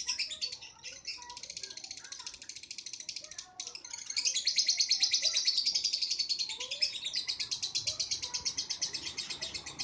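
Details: Lovebird giving a long ngekek trill, used as a model song for training other birds: high, rapid, rattling chatter that keeps going for the full ten seconds and grows louder halfway through.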